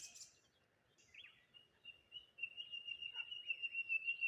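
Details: Birdsong on a morning by the water near a lone tree: a few scattered chirps, then a long steady thin whistle held at one pitch that swells louder toward the end.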